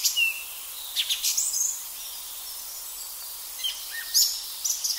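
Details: Song thrush singing in a forest in April, giving short bursts of high, clear, varied phrases with quiet gaps between them; European robin and chaffinch voices in the background, with a soft woodland hiss.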